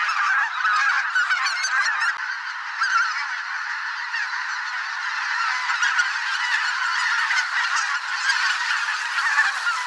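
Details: Thousands of geese on spring migration in a swamp, greater white-fronted, bean, barnacle and pink-footed together, with a steady overlapping clamour of honks and individual sharper calls standing out.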